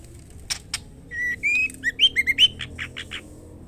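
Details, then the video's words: Female white-rumped shama calling to the male: a few sharp clicks, then a run of clear whistled notes, some rising, ending in a string of short rapid chirps over low background hum. "murai batu betina gacor memanggil jantan white rumped shama"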